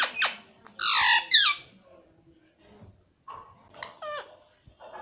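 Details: Pet ring-necked parakeet, a green parrot kept indoors and taught to say "mummy"; loud harsh squawks with sweeping, bent notes, then shorter scratchy calls after a pause, in a small room.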